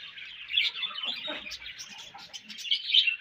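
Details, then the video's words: Budgerigar chirping, pet bird: steady scratchy chatter of high twittering notes with brief squeaky peaks, softer faint mutterings underneath. "Budgie Sounds For Lonely Budgies"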